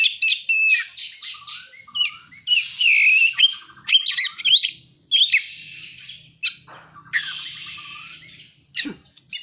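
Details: Kacer, the Oriental magpie-robin, singing with mimicked prinia and sunbird material: a rapid, varied stream of sharp chips, buzzy rasps, and slurred whistles packed into dense phrases, broken by short gaps.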